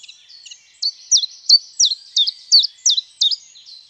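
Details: Great tit, the largest tit, common in gardens and singing from December: song of two metallic notes, high then dropping ("tidu"), each note distinct, the motif repeated about three times a second in an even rhythm, with no other sounds.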